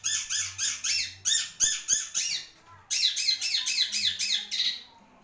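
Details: Long-tailed shrike (cendet), Marlboro type, giving rapid harsh rasping notes, about three or four a second, in two long runs separated by a short pause.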